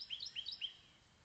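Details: House finch giving a quick burst of bright warbled notes, three slurred high-to-mid phrases packed into under a second before fading to a faint quiet background.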